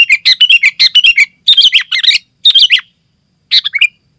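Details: Sooty-headed bulbul in dense, continuous 'gacor' singing, used to lure wild bulbuls in the forest and to tutor caged birds at home: quick bursts of bright chirpy notes, then short pauses, ending with a lone phrase.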